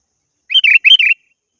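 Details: Sooty-headed bulbul calling a rival, a pair of quick liquid warbled phrases given back to back, bright and chirpy, with no other sounds.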